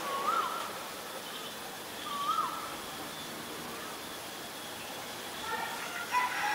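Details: White-vented (Great) myna, Acridotheres grandis, in Ubon Ratchathani, Thailand, 9 March 2022, gives brief whistled notes spaced a couple of seconds apart, with a soft chattering phrase at the end over steady hiss.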